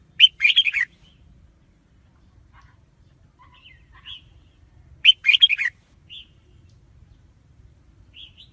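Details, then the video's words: Red-whiskered bulbul repeating a loud, fast, bubbly warbled phrase twice about five seconds apart, with soft scattered whistled notes in between and a clean, quiet background. "Tiếng chim chào mào"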